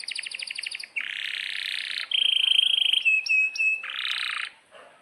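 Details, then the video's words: Canary in full song, in breeding condition with long rolls: a buzzy pulsed trill, then dense rolling buzzes, a steady whistled note with quick sharp chips, and another rapid roll before it fades. No other sounds. "Kenari GACOR PANJANG INI Cocok untuk Masteran KENARI PAUD dan Kenari Macet BUNYI"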